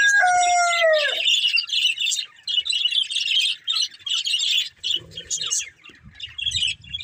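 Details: Breeding pair of budgerigars: a long, drawn, falling harmonic note opens, then bursts of fast, high chirping chatter come in short runs separated by brief pauses, with faint low bumps near the end.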